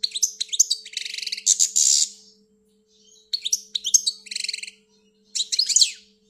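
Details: Goldfinch from Algeria in full song, three phrases separated by short pauses, each mixing quick liquid twitters, high squeaky notes and rasping buzzy trills, with a low steady hum throughout.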